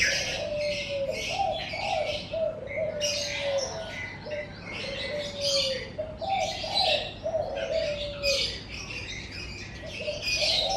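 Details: Morning chorus in front of a house: rolling, soft low cooing phrases run through most of the clip beneath energetic high chirping and twittering from several birds.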